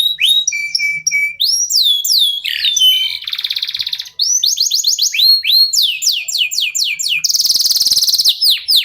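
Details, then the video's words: Local canary song used as a lure to set other birds singing: whistled notes at steady pitch, rising slurs, buzzy trills and repeated swooping notes, ending in a fast rattle. "KENARI LOKAL GACOR TOTAL, SEMUA IKUTAN BUNYI..PANCINGAN AMPUH BIKIN CEPAT GACOR"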